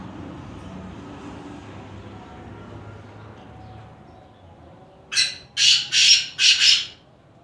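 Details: Black francolin heard after several seconds of low background rumble: a burst of four grating, rasping notes near the end, closely spaced.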